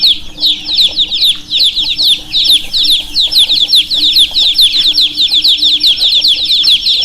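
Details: A constant stream of high, falling chirps from several baby chicks, many calls overlapping into a steady chatter, with a faint low hum in the background.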